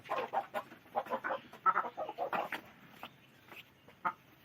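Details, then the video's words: Hens clucking in a steady run of short, rough, mid-pitched notes spaced a few tenths of a second apart, thinning out in the last second and a half with only a couple of isolated clucks. "hen video || chickens || murga videos"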